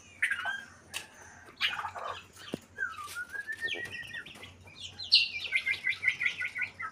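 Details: White-rumped shama in breeding condition giving scattered notes and a rising whistle, then ending in a rapid run of bright, chattering whistled notes.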